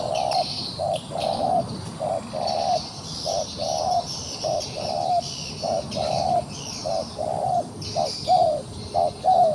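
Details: Wild pigeon caught in a trap in Cambodia and still fighting, giving low cooing notes in steady pairs, a short note then a longer one, repeated through the stretch, with thin high chirping from other birds or insects above.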